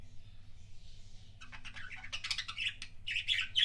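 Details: Budgie kissing sounds from a pet bird: near silence with a soft hiss at first, then rapid clicking chatter and squeaky chirps rising in loudness, over a low hum.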